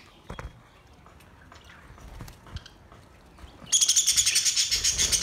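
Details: Budgerigars recorded on August 4, 2023, giving a relaxing song: quiet scattered clicks at first, then a sudden burst of loud, rapid, buzzy high chatter pulsing several times a second until the end.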